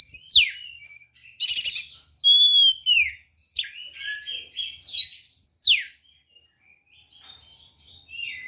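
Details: White-rumped shama, a lively fighting song used to provoke other birds: loud varied whistles and sweeping slurs, buzzy rattling bursts, descending and rising notes with short pauses between phrases.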